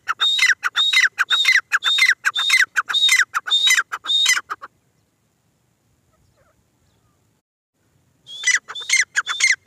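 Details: Female grey francolin (teetar) calling in quick bursts of sharp, high, clipped notes, nearly two per second, for about four seconds, then silence before the series starts again.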